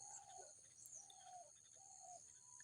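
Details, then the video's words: A dove gives three soft, low hooting coos about a second apart on a blue-sky January winter day among green hills in Kamalganj, Moulvibazar, Bangladesh, over a steady high hiss and faint chirps of many other birds. "ঘুঘু পাখির ডাক।"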